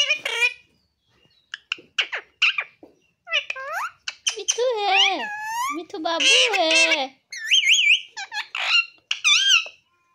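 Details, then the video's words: A talking Alexandrine parakeet (hill parrot) repeats "mummy" in a high, nasal, speech-like voice in short bursts, mixed with squawks and chattering whistles. "मम्मी मम्मी बोलने वाला पहाड़ी तोता"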